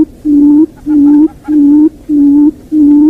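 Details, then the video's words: Quail call used as a hunting lure: low, pure hooting notes, each held about half a second, repeated steadily five times in three seconds with short gaps and no other sounds. "tiếng chim cút mồi"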